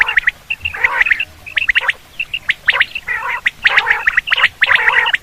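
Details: Quail call for hunting. Harsh, gargling bursts alternate with thin, clipped notes, coming roughly once a second in irregular clusters.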